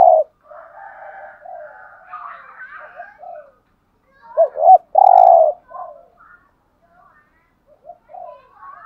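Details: Spotted dove cooing, used to stimulate caged males. Fainter mixed bird chatter and higher notes come first, then a strong looped coo and a long, even, resonant coo near the middle, with quieter coos trailing off.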